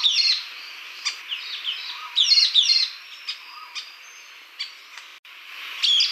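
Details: Sultan tit calling in high, clipped chirps and brief chattering bursts separated by short pauses, with a few faint lower slurred notes; quiet background.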